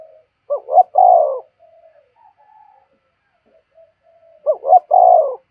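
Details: Spotted dove call played to train decoy birds for trapping: two matching phrases of quick rising coos into a long falling coo, separated by faint soft notes.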